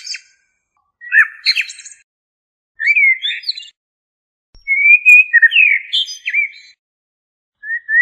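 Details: A common blackbird sings short, clipped chirps, then a longer fluted phrase with sliding whistles and high squeaky notes. The song comes in broken bursts separated by brief silences, with a short whistle at the close.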